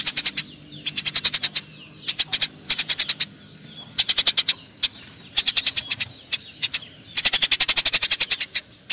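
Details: Eurasian tree sparrows in a fight chatter in repeated bursts of fast, high, clipped chirps, each run of four to ten notes followed by a short gap, ending in a long, dense volley.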